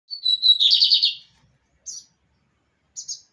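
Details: Lined seedeater (bigodinho) kept by an owner, singing the pirata song style: a high whistled note slides into a fast buzzy trill for about a second, followed by two short sharp chirps.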